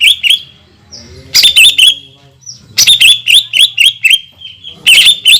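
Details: Greater green leafbird in full song, used as a lure with long 'tembakan' phrases meant to provoke rival leafbirds: loud bursts of sharp whistled and chirping notes, some sliding, in clusters separated by brief pauses.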